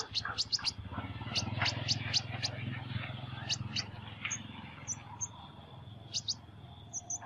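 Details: High, sharp sunbird chirps singing in an unusual voice, given in uneven quick bursts over a steady low rumble, with a few short thin notes in between.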